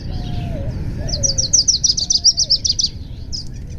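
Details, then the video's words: Lucy's warbler, which returns to southeast Arizona in March, singing at Rio Vista; a fast high chattering series of about a dozen sharp notes, with low mourning dove cooing and a Gila woodpecker in the background. "This is uh what a Lucy's Warbler sounds like."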